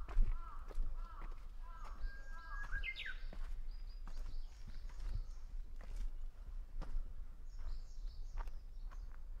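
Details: Japanese bush warbler singing at Hansōbō, Kenchō-ji temple, Kamakura, Japan, on 6 June 2020: short falling chirps, then a held whistle that jumps to a higher, rising flourish, with footsteps crunching throughout and faint other birds.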